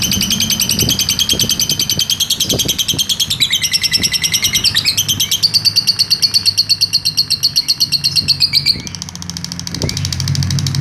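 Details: Lovebird singing a long ngekek trill, recorded as a master for training other birds: a fast, continuous run of sharp chattering notes that shifts pitch several times, briefly drops near the end, then resumes; low background thumps.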